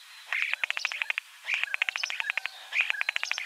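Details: Common starling giving a rapid clicking rattle, dry ticks in quick even runs, mixed with soft whistled notes, in two bursts split by a brief pause.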